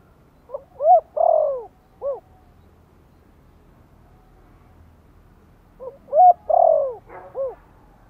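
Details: Spotted dove, Vietnam, repeating a gentle Giọng Thổ-style lure call meant to rouse newly kept birds: two matching phrases about five seconds apart, each a short coo, a long downward coo and a short final coo.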